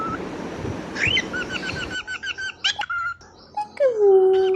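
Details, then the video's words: Happy pet cockatiel whistling and trying to say peekaboo. Begins with soft rustling noise, then clear whistled notes in quick stuttering runs, ending in a long falling whistle. "happy coctail singing/whistling peekaboo and whistling"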